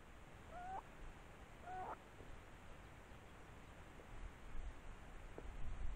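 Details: At a Stone-curlew nest: two clear, bent whistles close together near the start, followed by faint ticks and rising low rumble.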